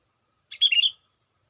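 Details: Sooty-headed bulbul lure call, used to draw in wild bulbuls: a single short bubbly phrase of quick chirped notes, falling then rising, about half a second long, against a silent background.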